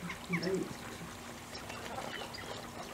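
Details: A single short, nasal honk from a Bewick's swan, a winter migrant from the Russian Arctic, at WWT Slimbridge near the start, then steady background murmur and faint other waterfowl.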